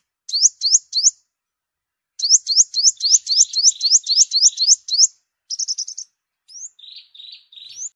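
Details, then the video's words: Yellow-bellied sunbird song used as a decoy recording in migration season: quick runs of thin, very high upslurred notes, each rising sharply, with a brief pause, then a short buzzy burst and a few lower, softer chips. No other sounds. "Tiếng chim hút mật 5 màu bụng vàng"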